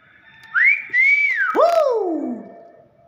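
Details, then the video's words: Young common hill myna in full voice: a loud whistled note rising then held, followed by a swooping descending slur with a harsher edge; a man's greeting is spoken nearby and music plays afterwards. "BURUNG BEO MUDA GACOR"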